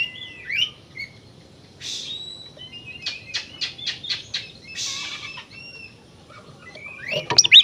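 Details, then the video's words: Oriental magpie-robin (kacer) in full song, meant to rouse other magpie-robins to aggression: scattered thin whistles and a run of short buzzy bursts repeated about every third of a second, with quiet gaps between phrases. "suara burung kacer gacor ini paling ampuh buat terapi burung kacer agar emosi jadikan kacer bukor"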